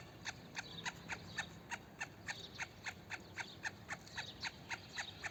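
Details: A black francolin (black partridge) in Pakistan gives a steady run of harsh, grating clicks, about three or four a second, over a faint low background hum.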